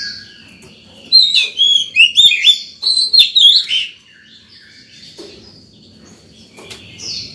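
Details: Singing White-rumped shama in the morning, calling other birds and training young birds: nearly three seconds of rich, rapid whistled and slurred notes, then quiet with faint distant phrases.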